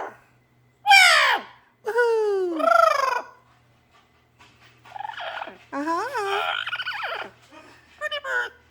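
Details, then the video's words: Pet parrot's morning vocal repertoire indoors: loud, harmonic, swooping calls with falling tones, then a run of shorter warbled, wavering phrases, with a person speaking softly nearby. "Parrot's Morning Repertoire"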